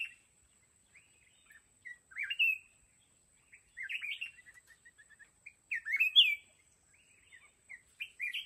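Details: Wild mountain red-whiskered bulbul at a fighting trap, singing clear, bubbly warbled phrases every one to two seconds, each followed by soft trailing chirps, with a faint continuous high tone.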